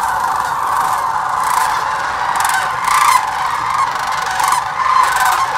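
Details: Sandhill cranes massed by the thousands at Hiwassee Wildlife Refuge, Birchwood, Tennessee, where they migrate each year; a steady wall of overlapping rattling calls, with louder nearby bugles rising out of the flock every second or two.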